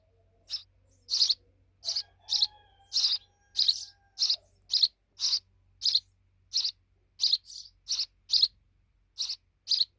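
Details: Sparrow fledglings chirping high and sharp, about one and a half notes a second, over a faint low hum and thin tonal lines early on.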